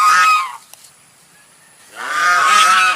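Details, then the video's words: White swan giving a short burst of loud, nasal honking, then about a second and a half of near silence, then a second longer honking burst. "SUARA ANGSA PUTIH"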